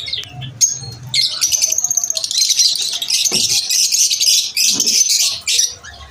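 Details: A few isolated high notes from lovebirds at lunch time build into a long, steady stream of shrill, rapid chirping trills, with a couple of faint low thuds beneath.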